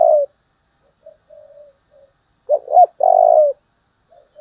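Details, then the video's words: Spotted dove in the very strong 'giọng thổ' singing style, a model for decoy birds. A loud coo ends, then soft murmured notes, then a stuttering double note and a long full coo, then faint trailing notes. "cu gáy giọng thổ Thúc rất căng"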